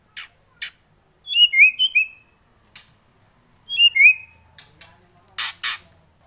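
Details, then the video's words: White-rumped shama performing loud kretekan: crisp clicks alternating with short rising and falling whistled phrases and a clear descending whistle, then more paired clicks, against silence. "Kretekan Murai Keras"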